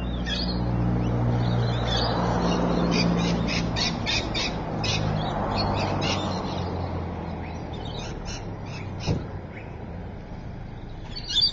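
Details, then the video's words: Rainbow lorikeet at Evans Head, 26 May 2012, 3:45 pm: rapid runs of harsh, grating screeches, repeated several times a second, come in bursts, then pause and resume against steady low rumbling noise. "Rainbow Lorikeet"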